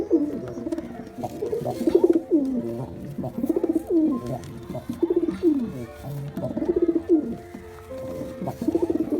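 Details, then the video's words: Rhythmic cooing from male and female pigeons: deep, rolling phrases that slide downward, repeated steadily with short pauses. "Male & Female Pigeon Combo Attract Sound"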